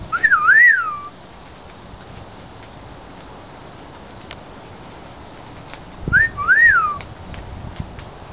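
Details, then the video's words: A baby Australian magpie that is learning to copy sounds gives two clear wolf whistles, each a quick rising then falling slur, about six seconds apart in a quiet room. "wolf whistling baby Australian Magpie"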